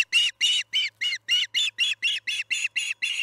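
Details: Evening feeding at the Charlo osprey nest, July 9, 2019, 6 pm MDT. Harsh whistled chirps repeat quickly, about a dozen in three seconds, each a short burst. A faint low hum runs underneath.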